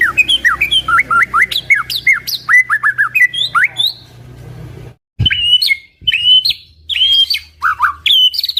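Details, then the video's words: White-rumped shama song used to prompt other shamas to sing: rapid series of whistled notes sweeping up and down around mid-high pitch, dense phrases, a brief pause, then clearer sliding whistles with a low hum beneath. "murai batu gacor sangat cocok buat pancingan murai batu agar bunyi ikut NYAUT"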